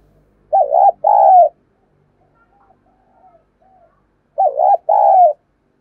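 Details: Vietnamese decoy spotted dove calling to lure and challenge wild doves: two repeated two-part coos about four seconds apart, wavering then sustained, with faint distant bird notes in the pause.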